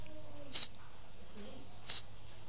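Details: A Eurasian tree sparrow chick in Singapore gives two brief, high, sharp chirps about a second and a half apart over a faint low hum.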